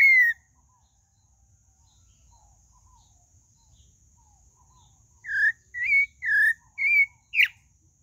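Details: Pale-breasted thrush song: one falling whistle, a long pause, then a quick series of five varied whistled notes with a sharp final note.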